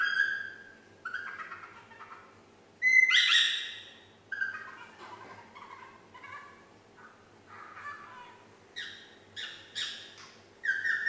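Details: Female parrot, nine months old, working at whistling Yankee Doodle indoors; uneven whistled notes mixed with a harsh squawk-like burst and short repeated whistles toward the end, faint hum throughout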